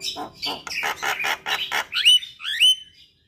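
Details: Javan myna singing, a recording meant to be played mornings and evenings to coax a stressed silent myna: a run of six grating, buzzy bursts ending in two clear rising whistled notes.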